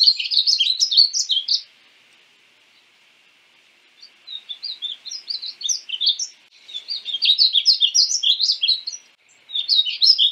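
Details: Painted bunting, a North American cardinal-family bird, repeating bursts of quick high warbling notes, with pauses of about two seconds between phrases.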